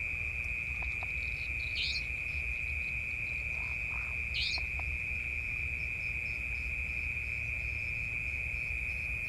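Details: Savanna Nightjar recorded in Malaysia on 7 November 2020, giving short, sharp, high-pitched calls a couple of seconds apart, over a steady shrill insect drone.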